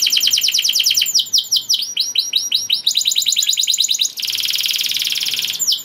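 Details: Canary in full song, said to spur other canaries into breeding condition and singing; series of quick downward-swept notes in shifting tempos, ending in a smooth sustained buzzy trill.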